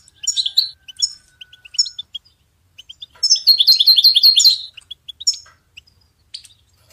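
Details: Goldfinch song for songbird training: soft separate chirps open, then a lively rush of rapid, rising and falling twitters, then spaced single notes.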